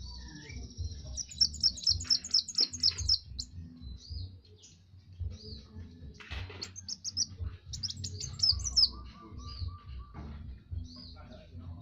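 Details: Kowul, a master song recording for training other birds: high thin whistled notes around rapid repeated chips, a fast trill series early on, scattered sharp squeaky notes and a lower whistled line, over a constant low hum.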